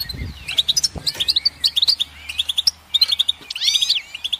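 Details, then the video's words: Goldfinch delivering rapid tinkling chirps and buzzy slurred phrases, ending in a busy burst of twisting notes. Light low thuds are heard early. "Goldfinch Song"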